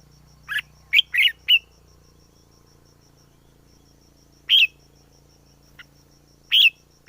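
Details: Wild red-whiskered bulbul singing: a few short, bright whistled notes in quick bursts, then a pause of nearly three seconds before more bursts, over a faint low hum and soft insect-like ticking.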